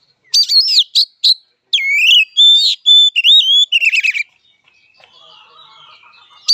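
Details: Oriental magpie-robin fighting song with harsh chattering bursts, then a clear rising whistle and a sequence of smooth, wavering whistled notes, followed by quieter, faint background sounds.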